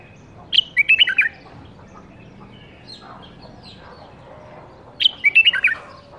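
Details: Bulbul bred in captivity in the 2018 season, caged, sings two quick bubbling phrases separated by a few seconds of near quiet, each a cascade of liquid up-and-down notes.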